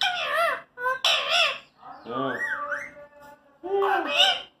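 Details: Pet talking parrot producing a string of varied vocal sounds: short nasal squawking syllables, a speech-like warbling phrase with rising and falling tones, then a final squawky utterance, with brief pauses between.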